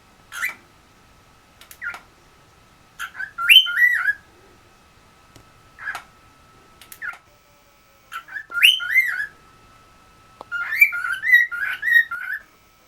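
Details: Pet cockatiels at home in West Newton, Pennsylvania, trying out whistles: short bright chirps and rising-falling whistled phrases with harmonics, in bursts every one to two seconds. A steady faint electronic tone runs underneath.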